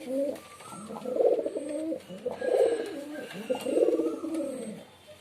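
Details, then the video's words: Repeated pigeon cooing, each phrase a low, throaty, rolling coo that swells and fades, roughly one phrase every second, with faint high ticking in the background. "Pigeon Sound || Different Different Pigeon Sound effect"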